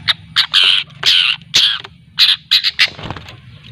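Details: Long-tailed shrike (cendet) from Lampung learning to sing (ngriwik), used as a lure; a series of loud harsh, rasping squawks of varied length, about a dozen, with short gaps.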